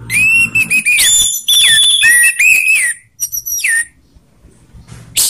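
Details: Ngeplong singing by an orange-headed thrush, rough voice against slow voice, played to coax other birds into song; long, loud, fluty phrases with repeated downward-sliding whistles and one brief pause.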